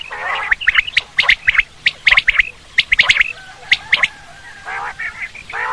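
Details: Quail calls played for hunting: quick clusters of short, bright chirps repeated about once a second, mixed with a few harsh, nasal squawks near the end.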